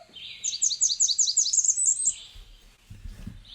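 A Blackburnian Warbler's very high, thin song: a quick series of about nine lisping notes, ending in a higher, fading trill, followed by low rumbling noise.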